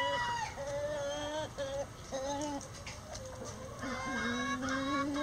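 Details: Hens and roosters of a flock flying out of the coop before dawn: repeated drawn-out nasal calls, each lasting up to a second, some stepping up in pitch, over a steady background murmur.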